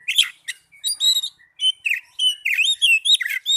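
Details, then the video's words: Young Oriental magpie-robin singing a varied run of sweet whistles and sharp chirps, notes sliding up and down and packed closely together, with short gaps between bursts. "Terapi Burung Kacer Muda"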